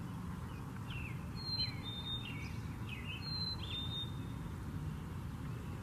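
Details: Black-capped chickadee song: two clean whistled phrases, each a high note dropping to a slightly lower held note, about two seconds apart, among scattered short chirps and a constant low background rumble.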